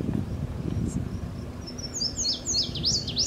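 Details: Indigo Bunting singing at the Julien Dubuque monument, Dubuque, Iowa, on June 17, 2017: a quick run of high, sharp, paired chirps, each note slurred up or down, over a low rumble of background noise.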